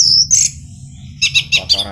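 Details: Orange-headed thrush song: a thin, high, sustained whistle, then a quick run of four bright, scratchy notes, over a low hum.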